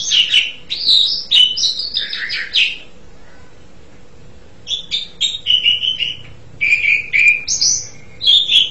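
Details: Asian pied starling singing in two bursts of varied chattering, squeaky and whistled phrases, separated by a pause of about two seconds, with a faint steady hum underneath.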